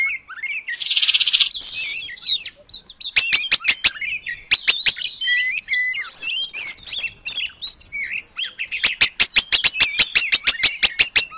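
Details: Oriental magpie-robin in full song, imitating the long-tailed paradise bird as training material. It opens with a harsh buzzy burst, then gives fast repeated clicking rattles, twisting whistled phrases, and a final rapid rattling series.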